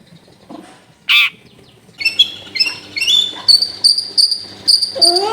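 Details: Long-tailed shrike singing to coax a reluctant bird into song, recorded in a busy residential home: one loud harsh squawk, then a run of high, ringing, slightly buzzy notes repeated roughly twice per second over a low steady hum.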